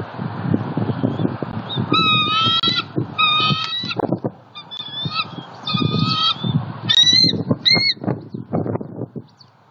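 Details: Female bald eagle at a southwest Florida nest, 28 December 2019, announcing her mate's arrival with a fish: series of high, thin chittering notes in stuttered bursts, over strong wind buffeting and rustling.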